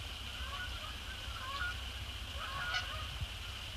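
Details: Canada Geese descending onto Sapsucker Woods Pond after sunset, 2 December 2017. A few scattered honking calls, with a louder one near the end, over a steady high background hiss.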